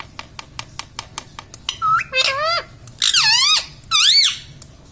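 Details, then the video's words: Indoor pet parrot saying "mummy"-type words: a run of quick dry clicks, then three or four loud, buzzy syllables that dip and rise in pitch, each about half a second long. "parrot talking mummy"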